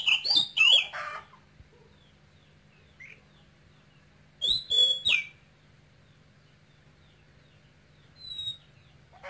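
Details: Male oriental magpie-robin kept in a cage, brought from Cambodia as a nestling, voice of the Quảng Ngãi style; bursts of sharp high whistles with slurred rising and falling notes, separated by several seconds of quiet over a steady low hum.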